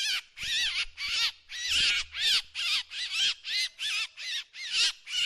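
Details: Drongo calling: a fast series of harsh, rasping notes with wavering, arched overtones, about two per second, bright and high, with a faint low hum in the background partway through.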